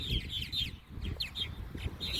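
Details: Several purple martins (Progne subis), back at their nest houses at Fireman's Beach, Conneaut Lake, flying in and out and probably picking mates, chatter together in quick, gurgling chirps that rise and fall over a steady low rumble of wind.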